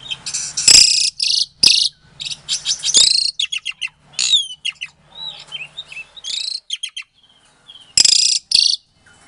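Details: Asian pied starling bred in captivity in Klaten, Indonesia, its song meant to goad quiet starlings into replying; loud harsh buzzy bursts alternate with rapid whistled slurs and scratchy chatter, broken by short pauses.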